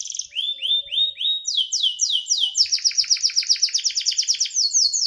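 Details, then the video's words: Caged canary singing: several looping whistled phrases, then long fast trills of repeated sharp descending notes, several per second, bright and continuous. "BURUNG KENARI 30 DETIK LANGSUNG NGEROLL|| Denger Cuit-Cuit Kenari Gacor!!!"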